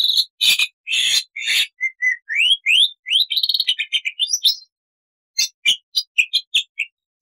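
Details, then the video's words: Loud, clear Black-winged starling song of mixed long and short bursts: rasping broadband notes open, followed by rising whistled slurs and quick chattering notes, then a short pause and a string of sharp, separated chips. "MASTERAN JALAK PUTIH GACOR FULL ISIAN"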